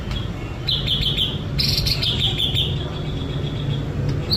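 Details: White-rumped shama sunbathing, singing a run of high, rapid trilled and whistled notes lasting about two seconds, with a steady low hum in the background.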